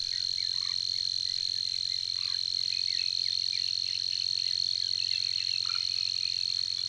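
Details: Persistent song of a Savi's warbler at Tancat de l'Illa, an even, fast mechanical reel at a constant high pitch running without pause, over a background of brief soft calls and chirps.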